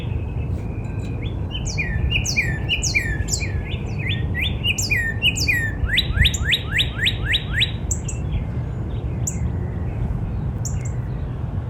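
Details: Cardinal in spring in a backyard: a run of down-slurred whistles gives way to a fast string of about eight steep rising whistled notes, then sparse high chips from other birds over low outdoor noise.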